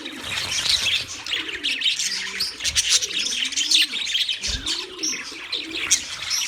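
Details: Wild budgerigars chirping busily, a dense high twitter of overlapping warbles and chirps, accompanied by several low rounded coos from a dove-like bird.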